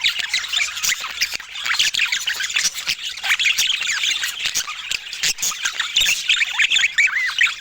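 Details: A group of budgerigars in natural Scandinavian light squawks and chirps nonstop, sharp squeaky notes tumbling over one another, with clearer upward-bending whistles toward the end.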